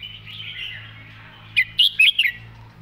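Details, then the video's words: Red-whiskered bulbul in a cage singing its main song pattern distinctly: a soft chattering start, then a crisp, loud phrase of four or five rich, rolling whistled notes, with a faint low hum beneath. "วางสำนวนชัดๆ"เดินเพลงแม่บท ชัดถ้อยชัดคำ"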